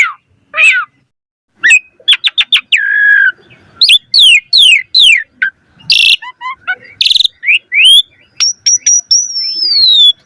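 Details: Energetic varied song of an Asian pied starling, played to lure other starlings: scattered chirps and falling whistles, harsh rasping bursts, then a long gliding high whistle that descends at the end.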